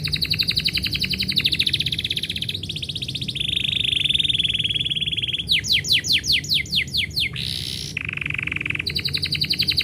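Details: Singing canary, performing as its owner gets ready to go: long rapid trills shifting pitch, a loud buzzy rolled passage, then quick rising sweeps and another fast trill, steady low hum behind.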